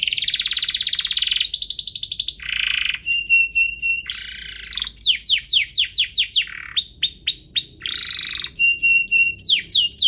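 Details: Pair of energetic canaries singing, a tutor and lure recording for young canaries: varied buzzy rolls, steady whistled tones with high pulses, and quick series of descending sweeps, all loud and continuous.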